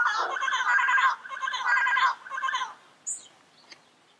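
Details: Wild yellow-headed parrot giving two extended, chattering, buzzy calls over about two seconds, followed by a shorter rough note fading into quiet background.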